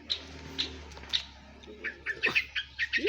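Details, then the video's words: Long-tailed shrike of the Madura type, singing actively: short squawky notes at first spaced about half a second apart, then a quicker run of harsh, buzzy chirps, with a faint steady hum underneath. "Cendet Madura Gacor"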